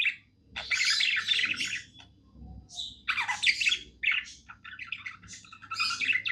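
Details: Happy pet budgie singing: long bursts of scratchy, chattering warble mixed with squeaky chirps, broken by short pauses, over a faint low indoor hum.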